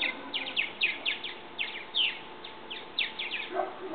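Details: Purple martins, young now able to leave their nest in a bird house: quick pairs and triplets of bright, falling chirps repeat through the four seconds, ending with a lower call.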